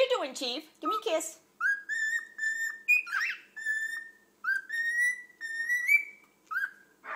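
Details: Two pet cockatiels give clear, sustained whistles that rise and hold steady, with a person talking briefly at the start.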